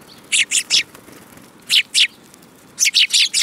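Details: Sparrows chirping, recorded 10 June 2018: bright, broadband chirps in three quick bursts, each of two to four rapid notes, separated by short pauses, with faint background hiss.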